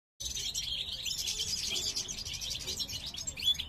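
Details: Male European goldfinch of the parva subspecies, caged breeding pair for the 2023 season, singing while the female shows curiosity about a new nest; rapid, dense twittering of high, buzzy and tinkling notes runs continuously after a brief silent start.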